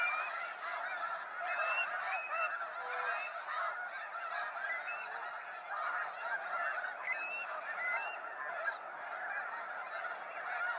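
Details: Waves of snow geese leaving Sacramento National Wildlife Refuge at sunset; a slightly more distant mass of honking, with individual yelps rising and falling over the constant chorus.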